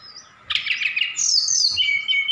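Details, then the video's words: Vigorous song of a Javan bush lark sent from Sukabumi, filled with mimicked calls of cililin, sikatan londo and others. A dense, scratchy burst gives way to a high, bright, sliding whistled phrase. "Tledekan Gunung Gacor Sukabumi"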